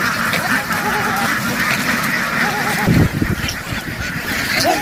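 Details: Farm ducks rushing into water and quickly back ashore in a field, a crowded flock quacking loudly; a few drawn-out wavering calls rise above the dense chatter, with splashing-like bursts.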